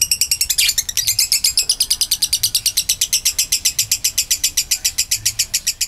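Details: Lure recording of a Kabayan lovebird's long ngekek: an early rough, louder flourish, then a sustained even rattle of quick, buzzy chattering notes.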